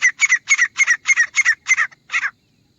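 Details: Grey francolin call used as a hunting sound: eight harsh, double-pulsed notes delivered at an even pace about every quarter second, ending abruptly and followed by silence.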